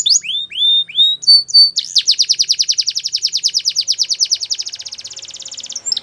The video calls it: Belgian Canary Singing